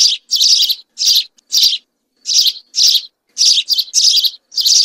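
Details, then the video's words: A group of house sparrows singing, recorded clean: loud, harsh, buzzy chirps, about ten in five seconds, some paired close together, others separated by short irregular pauses, with no other sounds. "عصفور الدوري الكحالي مجموعة طيور تغرد صافي song house sparrow"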